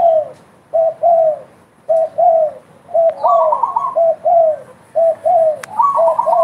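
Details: Spotted dove calling steadily, an active caller: a run of short, mellow two- and three-part coos, each note slightly falling, repeated roughly once a second, with a few higher rolling notes over a quiet background.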